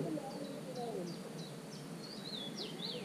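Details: Common cuckoo chick sitting in a marsh warbler's nest, recorded 27 June on a GoPro 5: high chirps falling in pitch come faster and build into longer, louder wavering squeals by the end.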